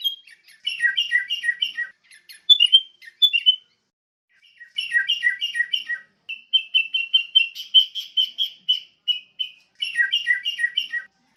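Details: Sooty-headed bulbul as masteran for songbird training. Repeated phrases of falling chirped notes alternate with a long, even series of steady whistles, separated by short pauses.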